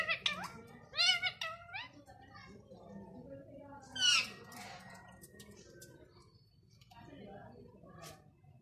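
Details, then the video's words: Ringneck parrot speaking indoors: a burst of high, speech-like syllables with rising harmonic sweeps in the first two seconds, another sharp syllable near four seconds, then quieter chatter over a low room hum. "RINGNECK Talking Parrot"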